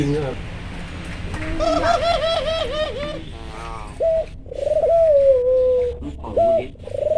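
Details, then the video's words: Vocal albino Barbary dove calling: a fast rolling, quavering coo lasting over a second, then short clipped notes and a long drawn-out coo that slides gently downward, ending with a brief hoarse note. "Puter Albino Gacor"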